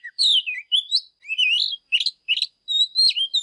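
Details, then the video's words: An Oriental magpie-robin sings a quick run of clear, varied whistles, sliding up and down and mixed with brief scratchy notes, each phrase under half a second. "Kích chòe than HÓT SÁNG"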